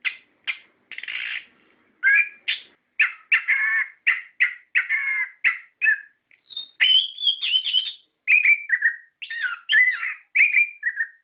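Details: Orange-headed thrush in energetic song, used to make caged birds respond: harsh raspy notes mixed with fast whistled phrases and high clear trills, delivered in a continuous varied stream.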